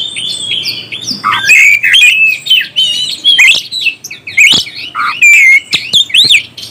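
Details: Oriental magpie-robin singing to provoke other birds: varied whistles and sharp chattering notes, some rising sweeps and scratchy squawks, delivered in energetic bursts separated by brief gaps.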